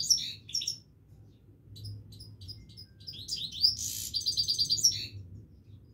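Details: Himalayan goldfinch singing continuously, with scattered high chirps that build into a brisk run of five or six evenly spaced ringing notes, over a soft low hum.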